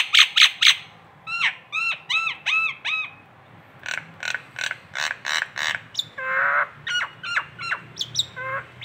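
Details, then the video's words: Nias hill myna recorded in Indonesia as a local tutor song: bright ringing bursts, repeated down-curving whistles, then a long string of sharp clipped notes with one harsh low squawk, over a soft background hum. "masteran jalak Nias lokalan aja"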